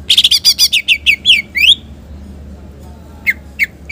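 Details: Cucak ijo, the green leafbird, singing a rich 'isian' song meant as a bait and master recording. A fast volley of bright, high whistled notes lasts almost two seconds, then a pause and a few separate sharp whistles.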